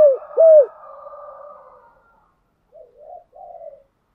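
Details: Spotted dove lure song for exciting decoy birds during training: two strong low coos, a long echoing tail, then softer muffled coos that fade out.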